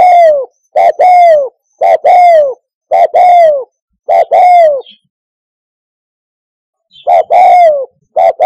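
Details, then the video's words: A spotted dove, suited for use as a perch-decoy call, gives mellow, paired cooing notes in quick bursts, falling slightly at the end, then pauses briefly and resumes with no other sounds around it. "SUARA TEKUKUR TERBAIK"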